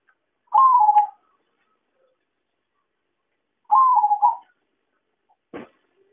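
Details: Perkutut, or zebra dove, lure sound for trapping: two rolling, pulsed coos about three seconds apart, then a sharp knock near the end.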